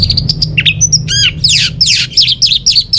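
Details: Orange-headed thrush (anis merah), a kept bird in North Bali, gives a rapid varied medley of sharp chirps, trills and buzzy slurred notes with no gaps, used as a lure to get non-singing birds at home singing.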